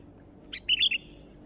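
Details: Sooty-headed bulbul, a newly acquired bird, in full voice: one sharp note, then a rapid rolling phrase of three or four liquid, warbled notes lasting about half a second.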